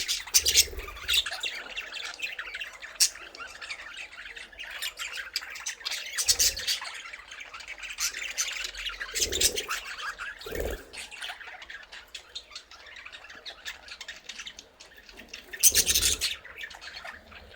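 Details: Pet budgerigars in their first breeding attempt, with nest boxes but no eggs yet, chatter continuously with scratchy, high warbles and squawks, several birds calling at once.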